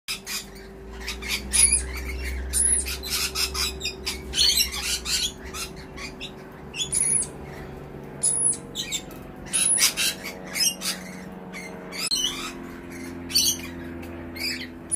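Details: Lorikeet; begging call; chick begging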